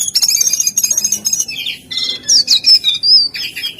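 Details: Jongkangan delivering a fast chattering trill of high buzzy notes, then a few separate, loud, looping whistles with squeaky overtones.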